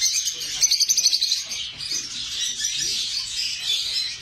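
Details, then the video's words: Lovebirds open with a quick burst of sharp, evenly spaced chirps, then break into a looser, noisy squeaking chatter. A few soft low sounds lie beneath. "লাভবার্ডস পাখি"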